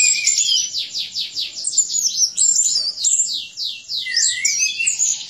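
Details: Vigorous 'gacor' song of a caged orange-headed thrush, used to train birds and stir silent thrushes to sing: rapid repeated downward-sweeping high notes running almost without pause, ending in a lower slurred phrase.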